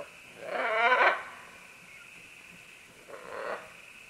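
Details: Green-winged macaws, a few birds descending along vines: one loud, drawn-out raucous squawk followed seconds later by a softer, shorter harsh call, with low background hum.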